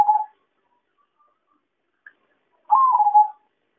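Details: Zebra dove call played as a trapping lure: one short trilled coo that steps up, then slides down and wavers, with a clipped coo at the very start and quiet in between.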